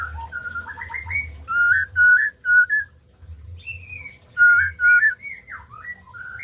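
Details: White-rumped shama producing clear, pure whistled notes in short groups: some quick rising trills, then steady loud whistles separated by brief pauses, and a final run of slurred phrases.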